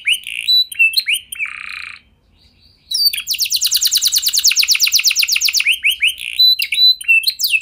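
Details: Canary song used as a lure to get other canaries singing: rapid high trills, sharp rising whistles and a buzzy held note, a brief pause near two seconds, then a long fast trill and quick chirps.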